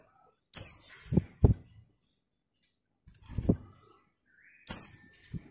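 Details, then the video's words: Excited female white-eye calling for a male: two piercing, high, down-slurred chirps about four seconds apart, with several dull low thumps heard in between. "TERIAKAN PLECI BETINA MEMANGGIL JANTAN"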